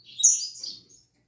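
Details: A short burst of double-collared seedeater song in the morning, a quick, piercing, jumbled twitter of very high notes fading within a second, from a caged bird.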